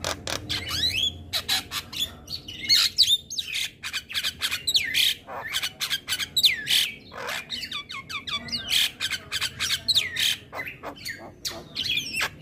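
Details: Javan myna in full morning song, giving a continuous stream of scratchy chattering notes, squeaky whistles and buzzy slurred phrases at a quick, irregular pace for over twelve seconds.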